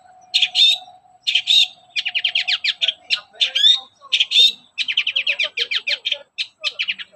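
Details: Long-tailed shrike singing in the morning, a lure to make other shrikes sing: harsh chirps with whistled tones, then long rapid runs of clicking, stuttering notes mixed with squeaks, over a faint steady tone.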